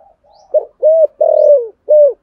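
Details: Spotted dove, thúc gù coo in the 'thổ sấm' voice: soft lead-in murmurs, then three low, steady coos, the middle one long and sliding downward at its end.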